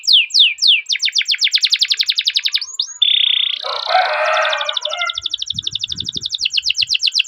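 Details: Canary song used as a lure to train young canaries: fast trains of descending whistled notes with rolling trills, then a flat tone and a harsher buzzy burst before the rapid sweeping notes resume.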